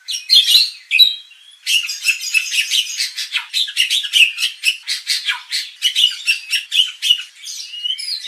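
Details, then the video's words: White-rumped shama lure for training the fighting mentality of contest birds: a long run of harsh, scratchy, chattering notes repeated rapidly and evenly, after a couple of sharp opening calls. "pancingan murai batu agar emosi bongkar isian"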